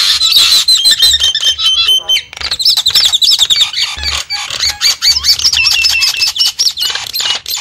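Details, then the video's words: Lure recording of Javan mynas for attracting wild birds: continuous busy chatter of high whistles, wavering squeaks and rasping notes from several voices, barely pausing over almost eight seconds. "suara pikat burung jalak kebo"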